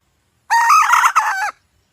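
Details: Hen calling: one loud harmonic one-second note, briefly broken near its end, with a slightly wavering pitch, in otherwise silent surroundings.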